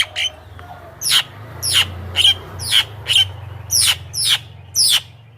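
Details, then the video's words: Javan myna calling to attract wild mynas, giving a regular series of eight rasping, downward-sweeping notes about every 0.6 seconds over continuous low hum. "SUARA BURUNG JALAK KEBO,suara masteran paling dicari,ahli pancingan dengan variasi suara"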